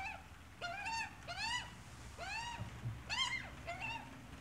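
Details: Australian magpie, adult with chick: a series of harmonic, arched calls, each rising then falling, repeated about every half second to second, some higher and thinner, over a low background rumble.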